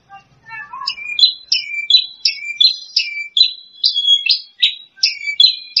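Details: Branjangan (Horsfield's bush lark), a second-place contest champion, singing a fast series of sharp, chirpy high notes. The notes come in quick bursts about three times a second, with some falling and some rising, and there is no other sound.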